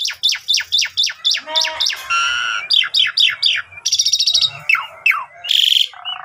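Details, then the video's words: Asian pied starling singing full isian as a lure for other jalak: fast repeated descending whistled notes, a sustained harsh screech, more falling whistles and a final loud rasping burst. "Jalak suren Gacor Full Isian Mewah Langsung Nembak Ngerol"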